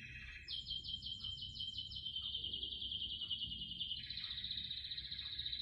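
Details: A canary kept among houseplants sings an unbroken rapid trill that starts bright and pulsed, flattens into a smooth high roll, then shifts to a lower rolling phrase, with a faint low hum beneath.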